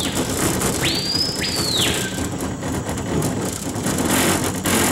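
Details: A Screaming Piha in the Amazon near Manaus, heard while fishing for peacock bass, gives one loud ringing whistle: two sharp upswept notes, then a long falling slur, over a steady engine drone.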